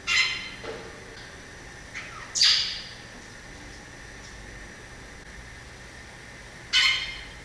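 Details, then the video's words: Variable oriole (Inhapim) uttering scattered rasping, squawky notes: one near the start, a softer pair, then another loud harsh note several seconds later, against a quiet background. "O canto do Pássaro Inhapim"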